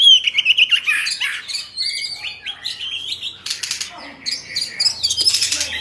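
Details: Oriental magpie-robin, a kept cage bird, giving whistled warbling song phrases that fade into softer chatter, with rustling and wing-flutter noises and a low hum late on.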